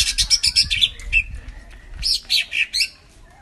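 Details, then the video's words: Cucak ijo mini lure song to start a silent bird singing: a fast run of shrill high chirps, a short gap, then four more loud bright notes spaced evenly, over faint low rumble. "Suara pancingan burung cucak ijo mini macet bunyi"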